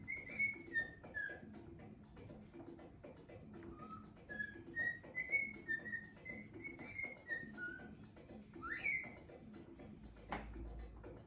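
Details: A cockatiel eating a Christmas pine gives a run of clear, whistled notes that step up and down like a tune.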